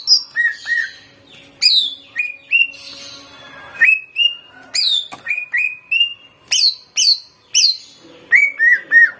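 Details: Greater green leafbird song used to provoke leafbirds to sing: loud, clear whistled notes, some sliding down and some rising, given in quick bursts about twice a second, with short high sharp accents between phrases.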